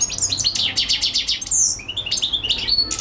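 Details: European goldfinch singing a quick, tinkling twitter of high chirps and short buzzy trills, notes tumbling together without pause over a faint hum.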